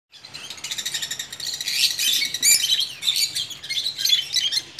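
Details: Colony of captive lovebirds in a breeding setup chatters at once, with shrill, high, overlapping chirps and squeaks in a constant, busy stream.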